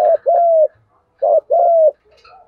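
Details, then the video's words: Spotted dove lure call for training wild and decoy birds: two loud, clean phrases, each a quick hoot running into a sustained even coo, separated by about a second of quiet. "cu gáy giọng đồng gù vấy thúc cực căng"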